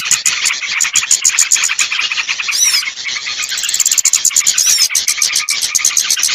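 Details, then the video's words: Small birds in a lure recording used to draw down birds reluctant to descend: dense, rapid high-pitched chirps and twitters repeated without pause, with a few sweeping trilled notes, loud and continuous throughout. "Suara Pikat burung kecil yang susah turun"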